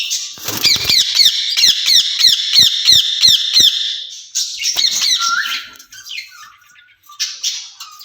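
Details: Two caged ring-necked parakeets calling to each other: a run of harsh, rapidly repeated squawks about five per second, then scratchy chatter and a short rising whistle.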